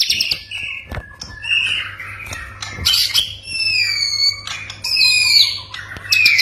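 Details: White-rumped shama song meant to make quiet or stressed shamas respond: a run of varied clear whistles, some long and level, others sliding, broken by sharp clicks and short harsh notes.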